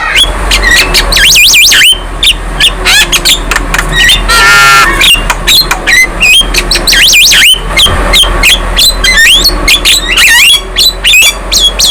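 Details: Young Javan myna singing energetically, head nodding, in a song meant to rile other birds: dense, continuous stream of squealing whistles, wavering trills and sharp clicks over a steady low background rumble.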